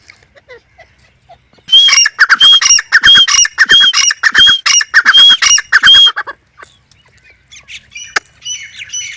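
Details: Grey francolin calling: after a quiet start, about four seconds of loud, harsh, rapidly repeated screeching notes with a ringing high overtone, then faint scattered chirps.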